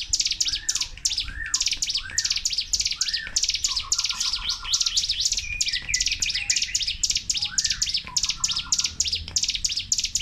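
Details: Sunda warbler 'tembakan' song, the cigun or ciblek gunung, singing without pause. Rapid high chattering throughout, with lower arched whistles and short buzzy trill notes repeated beneath it.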